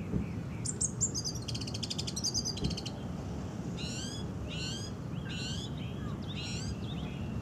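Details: Wild orange-banded thrush singing: thin, high, rapidly repeated trilled notes at first, then separate sharp descending chirped phrases spaced about a second apart, over a low steady background rumble.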